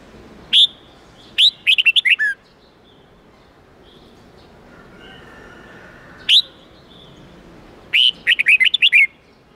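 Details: Red-whiskered bulbul '8-9-10' forest-style song for teaching young birds: a single clipped note, then a rapid warbled phrase of six notes, a long gap, another lone note, and a second bubbling six-note phrase.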